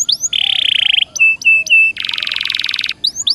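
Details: Serinus canaria, the canary, singing a varied high song meant to get caged birds singing again: buzzy trill, three short flat whistles, a long dry rattle, then rising sweeps.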